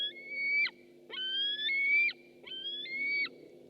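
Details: White-tailed eagle at a nest webcam on 6 August 2015: three long, clear whistles in about four seconds, each holding a steady, slightly rising pitch before breaking sharply downward at the end, over a low hum.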